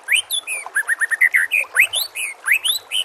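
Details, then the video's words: White-rumped shama singing a master song used to train other birds: varied rising whistles and slurred notes, a quick series of repeated bright chirps in the middle, high ringing overtones throughout. "murai batu anda dengar suara MASTERAN burung"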